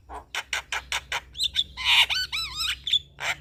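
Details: Male Javan myna lure song to make other mynas respond, with rhythmic clicking notes leading into a harsh screech and looping, warbled whistles.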